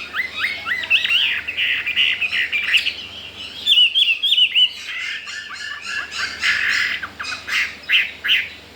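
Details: Caged Chinese hwamei, fresh arrival unafraid of resident birds, gives fast repeated whistled notes, a crisp series of up-slurred phrases, then a busier buzzy warbling passage with many rapid notes.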